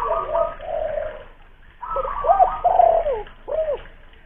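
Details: Spotted dove, a local lure bird with a big voice, from Kuningan, West Java: a hollow coo phrase, a gap, then several arched, falling coo notes in quick succession.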